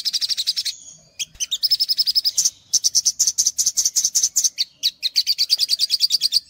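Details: Olive-backed sunbird masteran song with long rapid trills of repeated high notes, broken by short gaps, the phrases buzzy and insistent throughout.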